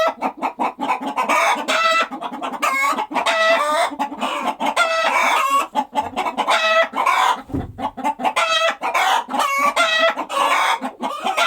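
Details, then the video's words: Flock of farm chickens clucking and cackling continuously, with many long harmonic squawks layered over rapid clucks and a short low bump partway through. "Chicken Clucking Sound Effect"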